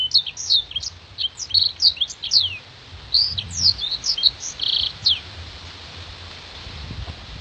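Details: Black-throated canary, gacor and clear, sung as contest tutor material: about five seconds of sharp high twittering phrases and slurred notes, then quiet hiss.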